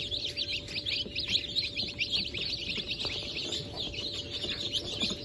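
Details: Hatchling chicks from a 28 January 2024 hatch of Brahma, Sultan, Sussex and Wyandotte chickens cheep nonstop, many high thin peeps overlapping, against a rough low-frequency background noise.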